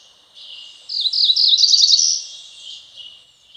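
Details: Singing cerulean warbler by a stream in the Ozark Plateau, Missouri: a loud high song of several quick slurred notes that speed into a rising buzzy trill, about one and a half seconds long, over soft background hiss.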